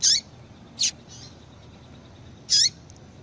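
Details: Female double-collared seedeater calling, a sound breeders use to excite males into hopping and singing. Three short, high, sharp chips, spaced irregularly across about three seconds, over a faint background hiss.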